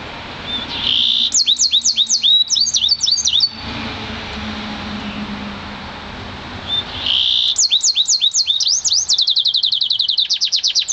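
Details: A year-old Yarrell's siskin mule, canary parent an intensive green Fife, sings two bursts separated by a quiet pause: buzzy starts breaking into rapid high whistled slurred notes, the second burst ending in a fast trill.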